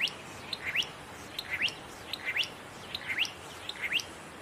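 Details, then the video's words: Satin flycatcher singing from fire-damaged trees in Namadgi National Park south of Canberra, Australia, a summer breeding migrant: repeated rising upslurred whistles, each phrase a short pair of notes, coming about every 0.8 seconds over a quiet background. "Satin Flycatcher singing"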